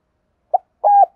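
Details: Spotted dove in the 'thổ pha' voice style, calling to provoke rivals into fighting. One short, low hollow note is followed by a sustained, steady mellow coo.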